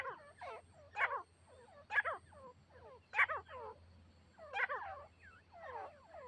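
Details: Grey partridge calls during a hunt in which a captive female partridge is used as a decoy to lure a wild partridge; loud, harsh, rasping notes with several stacked bands, in bursts about once a second, with some softer notes between them.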